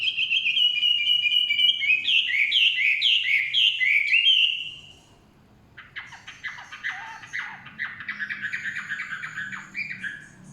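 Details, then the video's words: Forest-dwelling Chinese hwamei in song, opening with a fast series of bright, repeated whistled notes, then after a brief pause a choppier burst of varied, rapid phrases; soft low rumble beneath. "Nikmatnya kicauan wambi/huamei hutan.."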